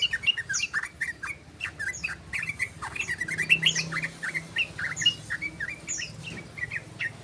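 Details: Yellow-vented bulbul learning the ropel, a long trilling song: rapid run of short chirpy, slurred notes, mostly mid-high and a few higher squeaks, delivered about four per second in an uneven stream, with a low hum behind.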